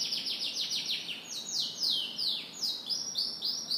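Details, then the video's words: Canary singing in the morning, a continuous string of high downward-sweeping notes in rapid phrases, some slower and longer, with changing rhythm. "Canary Morning Singing"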